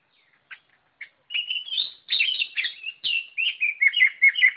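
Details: White-rumped shama singing continuously after two brief introductory notes, a rapid stream of varied whistles, warbles and harsh chattering phrases, loud and energetic throughout, with no other sounds.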